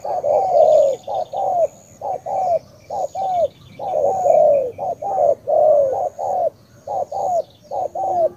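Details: Spotted dove from Cà Mau, Vietnam, cooing steadily: mellow, low hooting notes in paired short-then-longer phrases, each longer note sliding slightly downward, repeated without pause; a faint thin high whine runs in the background.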